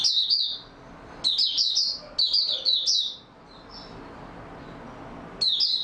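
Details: High-pitched song of an Oriental white-eye in stable form, dated 28 February 2022: three bursts of rapid slurred twittering, a soft faint phrase, then another sharp twitter after a pause.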